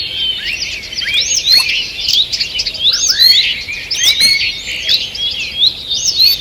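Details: Birds singing in a forest on the morning of 2 June 2023: clear looping whistled phrases rising and falling over a background of quick high chirps and twitters from other birds.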